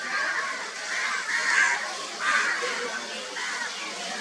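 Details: A crow bathing gives harsh, hoarse caws, about five in four seconds at an uneven pace, over a steady background of splashing water.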